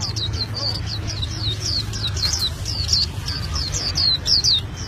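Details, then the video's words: Albino white-eye (pleci) sings a rapid, continuous run of thin, high, slurred chirps, several per second without pause, over a low background rumble. "Pleci Albino Gacor Ngeroll"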